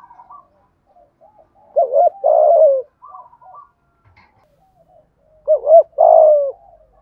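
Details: Spotted dove driving coo (thúc gù) intended to rouse decoy birds: two phrases about four seconds apart, each a wavering double note leading into a loud falling coo, with soft low murmurs in the gaps.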